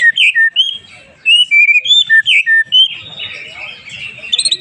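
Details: White-rumped shama song played to provoke emotion in other shamas: a fast series of clear varied whistles and slurred notes, some sweeping down, for about three seconds, then softer scratchy twittering.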